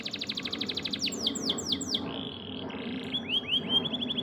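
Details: Caged songbird song used as a training recording for other songbirds: a fast rattling trill, then a series of loud down-slurred whistles, a buzzy churr and a run of rising whistled notes, over a steady low background hum.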